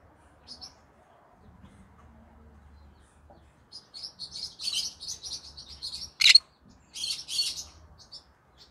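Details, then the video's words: Green-cheeked conure singing in the evening; quiet start, then a rising run of buzzy high chatter, one sharp loud squawk and more scratchy chirps, over a faint low hum. "come hear me sing together Green Cheek Conure Parrot Bird"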